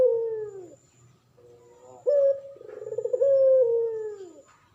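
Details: Male pelung turtle dove, in energetic singing form, kept as a tutor bird for training others: long, low coos that slide downward, then a louder held note, a rough pulsing stretch, and another drawn-out falling coo.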